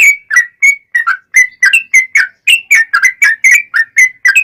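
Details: Long rapid-fire song of a yellow-vented bulbul, played to make other bulbuls answer: unbroken, fast sequence of bright, liquid whistled chirps, alternating rising and falling slurs, clean background.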